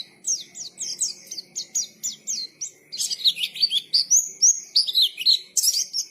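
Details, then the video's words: White-eye song in ngalas style: a steady series of high, falling whistled notes about three per second, shifting into louder, more varied warbling slurs. "KICAUAN BURUNG PLECI GACOR NGALAS"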